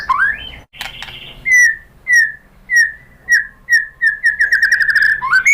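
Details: Lure song of a white-rumped shama meant to provoke rival shamas to sing: a rising opening phrase, then a series of short downslurred whistles repeated about every half second, speeding into a fast rolling run.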